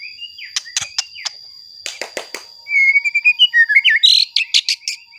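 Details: White-rumped shama singing to provoke other shamas: scattered sharp clicks, then a loud fluty whistled run that wavers and steps upward into high, rapid piercing notes, with a steady thin tone throughout.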